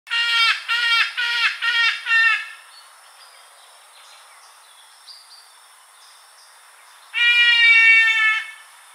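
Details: Trumpeter hornbill at Oribi Gorge, South Africa, 10 November 2022, calling and brushing: five quick, nasal, wailing notes, then after a pause one long drawn-out bleating wail, with faint bird calls in between.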